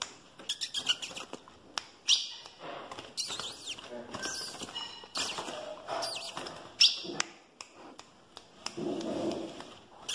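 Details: Ultramarine grosbeak singing strongly with spirit: bright, warbled whistled phrases in irregular bursts, mixed with sharp clicks and rustling, over a faint steady hum.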